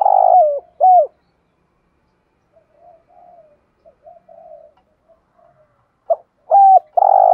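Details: Decoy spotted dove luring wild doves with calling and a full song pattern, thúc gù style. Loud hooting coos with a rough drawn middle note bracket a stretch of soft, low murmured cooing.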